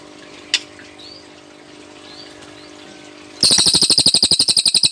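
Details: Cililin bird singing in the rapid-fire 'tembakan' style: after quiet background hiss and a couple of faint notes, a loud, very high, fast pulsed trill bursts in, about four pulses per second.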